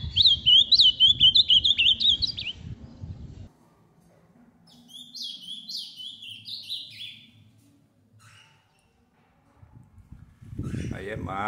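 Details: Captive ultramarine grosbeak, an adult kept with its six-month-old son: loud rapid warbled phrase of quick up-and-down high notes for about two and a half seconds, a softer second phrase after a pause, low rumbling room noise beneath.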